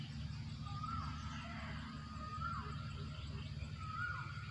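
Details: Asian koel calling in a rubber plantation: three clear whistled notes, each rising then dipping sharply, spaced about one and a half seconds apart, over a steady low droning hum.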